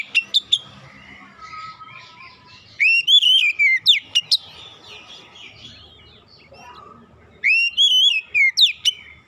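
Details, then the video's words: Oriental magpie-robin song used as a recording to get a silent, non-singing bird to start singing: bursts of clear, rapidly modulated whistled notes in quick phrases, separated by pauses with softer chatter in between. "TERAPI MEMPERCEPAT KACER BISU MACET BUNYI LANGSUNG GACOR"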